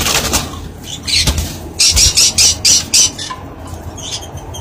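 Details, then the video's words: Rose-ringed parakeet (ringneck) chicks at feeding time begging: a run of about six harsh, high squawks in quick succession, with softer squeaks before and after. "Ringneck chicks beauties on 1 time feeding"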